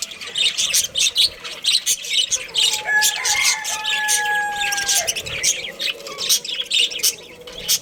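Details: Budgerigar breeding pair and family chattering steadily: dense, rapid, high scratchy chirps, with two long, flat, pure whistled tones held for about two seconds in the middle.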